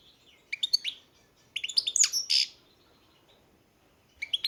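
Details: Song of a European goldfinch: short bursts of bright, high twittering notes separated by brief silences, with a few buzzy rasping elements in the middle phrase and a quiet background.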